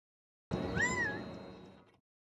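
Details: Gambel's quail perched in a mesquite tree at Red Mountain Park, Mesa, Arizona, giving a single drawn-out, slightly rising then falling plaintive note, like a nasal meow, over a steady background hum.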